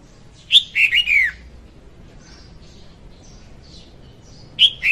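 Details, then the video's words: Lure recording of a female red-whiskered bulbul singing: a cheerful warbled phrase of quick descending whistles, a long pause with faint twitters, then the next phrase beginning. "Tiếng chim chào mào hót Ko Tạp Âm dùng đi bẫy 2021"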